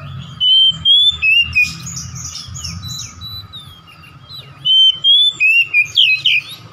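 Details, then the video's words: Lure song of an oriental magpie-robin for drawing out a domestic bird's material: two bursts of loud, clear whistled notes stepping up and down, with softer twittering chirps in between and a faint constant hum. "PANCINGAN KACER UNTUK BONGKAR MATERI KACER RUMAHAN"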